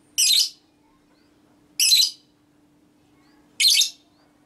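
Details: Ngekek calls of a female lovebird, played to provoke other lovebirds into calling: three short, harsh, scratchy bursts spaced about 1.7 seconds apart over a faint low steady hum.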